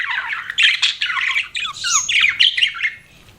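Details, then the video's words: Budgies kept as pets chattering, a run of squawky warbled phrases and short rising and falling chirps that fades to near quiet at the end. "CUTE PET BUDGIES CHIRPING"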